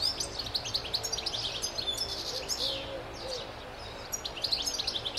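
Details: A wild European goldfinch in New South Wales sings a fast, high tinkling twitter of chirps and trills, nearly without pause, with a few soft low whistles faintly behind.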